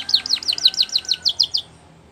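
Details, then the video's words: Belgian canary singing for training: a clean, even series of about eleven quick downslurred notes, each a bright two-part chip, repeated several times a second before stopping. "Canary Singing Champion For Training | Belgian Canary Song"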